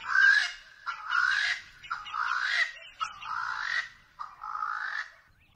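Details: Swainson's spurfowl (Pternistis swainsonii), in a Southern African bird call challenge, gives five loud, harsh, grating notes, each rising slightly and lasting under a second, repeated about once a second.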